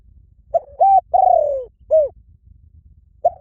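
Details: Mellow coo phrase from a spotted dove: a brief note, a level coo, a long sagging coo and a short falling note, then the next phrase begins.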